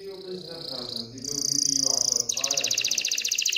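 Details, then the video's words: Canary singing in an excited state to encourage hens to pair and build a nest; a soft low murmur opens, then a steady high buzzy trill gives way to a fast ringing rolled trill. "تغريد كناري هائج لتحفيز الاناث على التزاوح وبناء العش"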